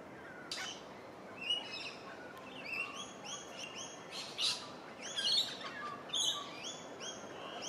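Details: Crimson rosella (Platycercus elegans) feeding in shrubs beside Gardiners Creek, Melbourne, Australia, on 27 July 2023 gives short, high chattering chirps and brief whistled notes, about one a second, with overlapping calls over a steady hiss.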